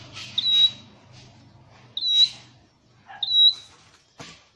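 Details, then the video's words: Caged scarlet-headed flowerpecker, an Indonesian endemic, in song training: thin, high whistled notes, each a short sharp rising start that settles into a steady tone, given three times about 1.5 seconds apart, with a click near the end. "Deep red-headed birds(Dicaeum Trochileum): Birds thoroughbred training for singing chirped"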